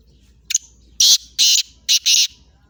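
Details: Black francolin, known locally as Sindhi pheasant or kala teetar and described as a bird that calls all day, gives a loud, harsh, grating phrase: one short note, then four rasping bursts over about a second and a half.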